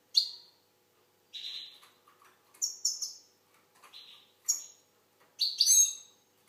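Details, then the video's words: Algerian goldfinch singing choppy sequences of high, buzzy and tinkling notes, about seven quick bursts that end in a richer trilled flourish; quiet surroundings. "Chardonneret algérienحسون. مقنين"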